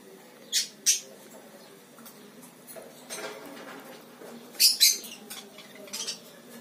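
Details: Lory parrot giving short, harsh, high-pitched screeches, mostly in close pairs: two near the start, two more later, then a fainter one, with soft clicks and rustling in between.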